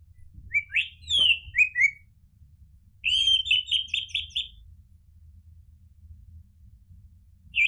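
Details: Orange-headed thrush singing in a lure recording: swooping whistled notes rising and falling, then a fast run of repeated bright chattering notes, with another phrase starting at the end; faint low hum underneath.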